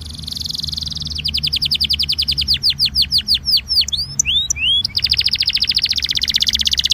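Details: Belgian canary song for warming up canaries, opening with a high buzzy roll, then a sequence of sharp descending notes and looping whistles, ending in a dense fast trill.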